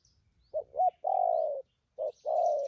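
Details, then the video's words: Trapping spotted dove cooing in thổ and phóng rước style: two short clipped coos, then a long, gently falling coo, a short note and another long coo, with a faint low rumble at the start. "Bấy cu gáy bổi thổ tốt tiếng , hàng thúc gù , phóng rước tốt có kèm"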